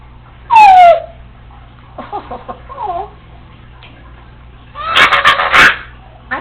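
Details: Congo African Grey Parrot, a female pet alone at home indoors, practising mimicked sounds: a loud falling whistle, then soft speech-like chatter and a harsh burst of noisy squawking.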